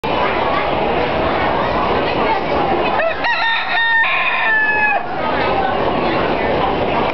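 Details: Rooster at the Minnesota State Fair in 2007: a drawn-out crow with several stepped, strained notes over a loud, constant wash of crowd and barn noise.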